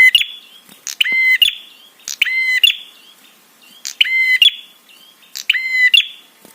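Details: Prinia calling in a 'trapi' recording intended to stir other birds into answering. Rapid series of coarse, reedy buzzes, each ending in a brief clipped note, repeating about once a second.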